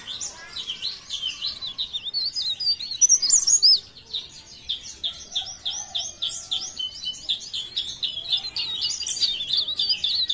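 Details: Leaf warbler from Pare Pare singing energetically: a continuous, busy stream of high, squeaky, zigzagging notes, with a loud burst around three seconds and then steady rapid twitter.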